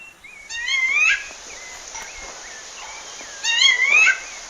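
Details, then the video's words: Female rufous-bellied thrush calling a male in the wild in Pernambuco, Brazil: two loud, rising, slurred whistled calls with rich harmonics, about three seconds apart, with faint softer notes between and a quiet natural background. "FÊMEA DE SABIA LARANJEIRA CHAMANDO MACHO NA NATUREZA"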